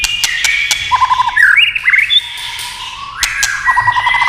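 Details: Singing white-rumped shama with clattering tail-tap clicks: bubbling low trills, upward-slurred whistles, a held clear note and another bubbly run.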